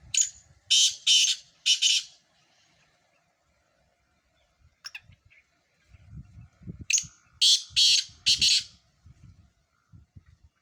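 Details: Sindhi black francolins, four birds in a calling competition: harsh, grating, buzzy call of three or four rasping notes, given twice several seconds apart, with low thumps and handling noise between.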